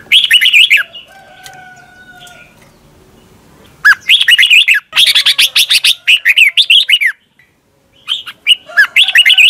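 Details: Thai Red-whiskered bulbul song for teaching caged birds: bursts of quick, bright, warbling whistles, some phrases run together into long busy strings, with a short pause before the last burst and faint thin tones in the gaps.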